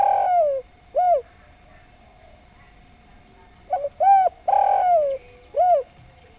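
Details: Spotted dove giving a lively, harmonious song of short arched coos in paired and grouped notes, separated by a pause of about two and a half seconds, over a faint steady tone.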